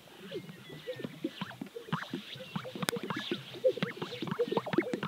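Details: Greater sage-grouse on a lek in Central Montana: overlapping low, hollow pops and gulping plops from several males, with sharp swishing snaps and faint high whistles behind.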